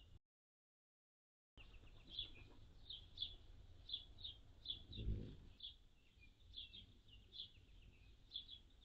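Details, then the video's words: Hummingbird recorded June 7, 2022: a steady run of short, high, dry chips roughly every half second after a brief silence, with a faint low thump midway and quiet background hiss. "Hummingbirds - June 7, 2022"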